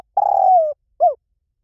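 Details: Spotted dove cooing in the 'Liu Tan' style, used to lure and train doves to coo back: one long, slightly rough, trilled coo sliding downward, then a short arched note after a brief pause.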